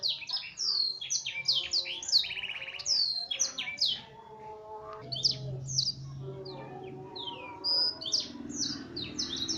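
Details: F1 canary in full song, loaded with black-throated canary material: dense high chips and downward-sweeping whistles, a short buzzy trill early on, then sparser bright notes over a low rumbling hum.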